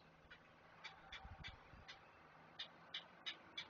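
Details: Great blue heron chicks begging while being fed at a nest watched by a camera near Chesapeake: short, sharp ticking notes at an uneven pace, about three a second, over faint low rumble and hum.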